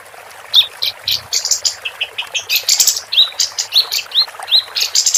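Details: Female capped white-eye singing busily, recorded as a training song for competition birds: rapid, high-pitched chirps and short rising whistled notes, tightly spaced and repeated without pause, with brief faint low rumbles in the background.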